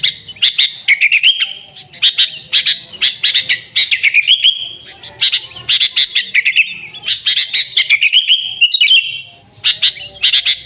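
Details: Sooty-headed bulbul singing vigorously, original song without fill-ins, meant as a lure for the species; long, dense run of chattering phrases made of quick bright chirps and slurred notes, barely pausing.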